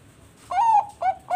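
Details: Captive-bred Bangkok-type zebra dove (perkutut bangkok) from a bird farm in Bekasi, West Java, Indonesia, singing as a lure to prompt other doves; two soft, mellow cooing notes, the first long and level, the second shorter.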